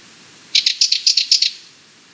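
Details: A Sardinian warbler's harsh chattering rattle, about eight grating notes delivered in a rapid, slightly paired series for a second before fading.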